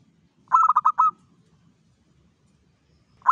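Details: Local zebra dove singing at dawn, played as a lure for other doves: a quick burst of five staccato cooing notes running into a short trill, then a long quiet pause before the next phrase begins, with faint low background rumble.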